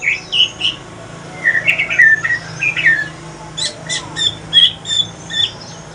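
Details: Chatty male shama from Aceh in pastol-style song: a burst of mid-pitched whistled slurs, followed by a run of crisp, high, clicking notes repeated at an even pace.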